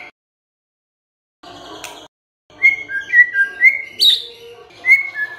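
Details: White-rumped shama song used as a lure to rouse a silent shama into singing: after a brief noisy burst and a gap, clear whistled notes slur up and down, with sharp upslurs and a high note in between.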